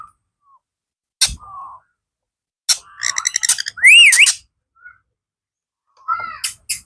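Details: Pet blue ringneck parrot: scattered sharp clicks and short squeaks, then a buzzy pulsed squawk and a bright rising-and-falling whistled phrase, followed by further brief harsh notes.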